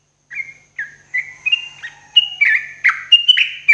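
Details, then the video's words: Cheerful bubbling whistles from a sooty-headed bulbul at morning, used as therapy for cage birds, about ten short slurred notes climbing gradually and quickening toward the end. "TRUCUK GACORRR !!! TERAPI TRUCUKAN PAGI HARI"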